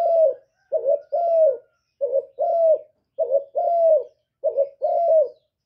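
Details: Spotted dove giving a series of deep, mellow coos. Each phrase pairs a brief, clipped note with a longer drawn-out coo that sags at the end, recurring about once a second against a silent background.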